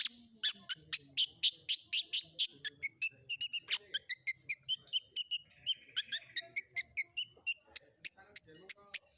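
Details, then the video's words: Long-tailed shrike combination filler song used to draw replies from other shrikes: a long, evenly paced series of short, sharp high notes, about two or three each second, with quicker paired notes in the middle. "Cendet Manapun Bakalan Langsung Nyaut Dengar Suara Isian Kombinasi Cendet Cendet ini"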